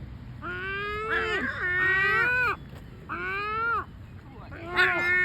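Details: Seagulls identified as great black-backed gulls making complaining sounds: drawn-out, wavering, nasal wails in groups of two or three, with a short pause between bursts and a sharp louder call at the end.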